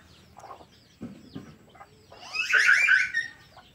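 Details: Free-ranging red junglefowl hybrid, foraging for itself, gives a few soft clucks and low knocks, then a brief, harsh, strained crow near the end.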